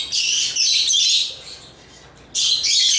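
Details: African lovebirds giving high, squeaky chirps in two bursts, with a quiet second between them.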